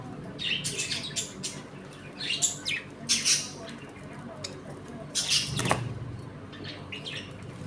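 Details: Home-colony budgerigars eating and playing: repeated harsh squawks and buzzy chirps in clusters, with a low thump near the end.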